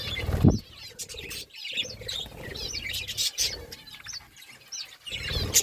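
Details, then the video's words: While eating fruit, parakeets give curving, upswept high chirps, repeated every second or so, over low thumps and scraping sounds of feeding. "Parakeet eating fruit and chirping sounds"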